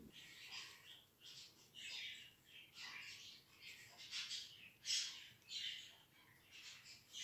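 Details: Hand-tamed budgerigar nestlings, not hand-reared, produce a steady run of short harsh rasping calls, roughly one per second, overlapping at times, indoors.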